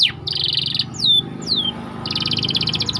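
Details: White canary singing in a tight rolling style, used as training bait for other canaries: a high buzzy trill, then three sharp descending whistled slurs, then another fast pulsing high trill, with low steady hum beneath.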